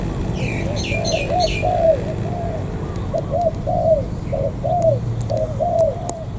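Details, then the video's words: Wild-caught spotted dove at the An Giang border crossing, giving repeated soft, hollow cooing phrases of two or three notes with a rising final slur. Brief high chirps from another bird open the clip over steady low background rumble. "Cu gáy bổi thổ cửa khẩu An Giang."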